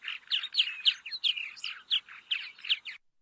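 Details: Purple Martin call played back over speakers during a talk about a school nesting structure; a rapid run of chirpy, gurgling notes, roughly a dozen in three seconds, with no other sounds.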